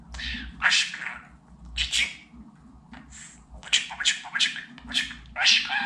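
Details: Talking pet budgerigar indoors, used to teach budgies words like Babacık, Aşkım and Cici kuş; scratchy, hissing speech-like bursts come in irregular groups with short pauses between them.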